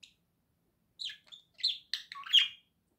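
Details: Pet budgerigar giving a short run of scratchy, buzzy chirps and warbled notes, four bursts growing louder over about a second and a half, in a quiet room.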